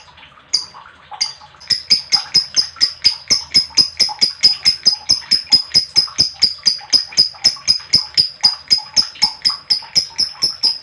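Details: Lovebird chirping played to excite other lovebirds: after a brief pause, a long, steady series of shrill, clipped chirps repeated about twice a second, strong and regular.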